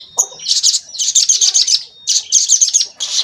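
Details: Crimson sunbird (sogon) lure recording, used to make other sogon sing and to provoke them. High, thin chirps and fast buzzy twitters come in bursts, with two short gaps in the run.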